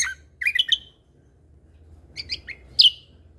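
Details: Lesser green leafbird in lively song, used as tutor material with shot-like fill phrases: a quick trio of bright chirps, a second of silence, then more sharp notes ending in one strong downslurred whistle.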